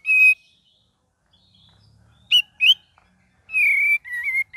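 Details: Cream-vented bulbul singing in a gacor and ngeriwik variation: a bright whistle, two short upslurred chirps after a pause, then a run of level whistled notes.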